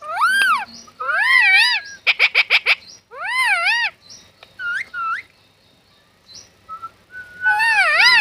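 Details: Talking parrot, natural recording: rich harmonic squawks with wavering pitch, a quick run of five sharp notes, brief softer chirps, then a final loud squawk.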